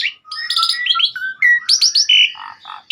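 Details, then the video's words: Asian pied starling singing persistently on a master recording: a dense burst of rattling harmonic notes, quick whistled slurs, a flat mid whistle, loud high upslurs and a few low chuckles. "Kicauan burung jalak suren gacor"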